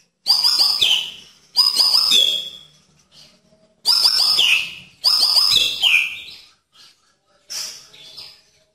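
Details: White-rumped shama (murai batu) giving tembakan-style song: four loud, harsh bursts of high sweeping notes, each around a second long and separated by short pauses, ending with a fainter final phrase.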